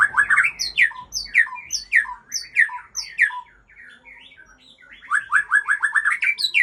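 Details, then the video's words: Singing Aceh white-rumped shama: loud rising whistles with high squeaky accents repeated in a steady rhythm, a brief quieter pause, then a fast rolling burst of ringing whistled notes. "Murai Aceh Anak Balak"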